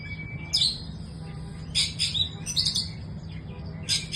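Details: Juvenile Oriental magpie-robin (kacer muda) giving scratchy, buzzy phrases with rasping high bursts separated by pauses, one faint thin whistle at the start, and a constant low hum beneath.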